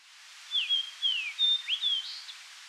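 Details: A Fox Sparrow in the boreal Seal River Watershed, Manitoba, where it breeds, gives a brief, rich song of clear whistled slurs that swoop up and down, likened to R2-D2, for about two seconds against a quiet background.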